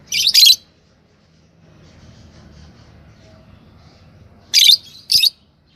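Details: Fischer's lovebirds, a yellow pair: two harsh, buzzy high squawks at the start, a long quiet gap with faint low hum, then two more rasping calls.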